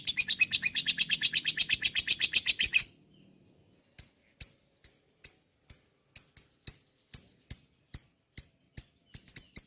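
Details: Lovebird ngekek chatter played to prompt other lovebirds to chatter: a fast run of harsh high chirps for nearly three seconds, a brief pause, then sharp separate clicks and chirps spaced roughly half a second apart.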